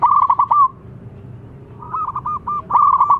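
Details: Loud local zebra dove call meant to draw answers: fast rolling series of short, clipped cooing notes ending in a longer trailing coo, then a new burst starts, all over a low steady background murmur.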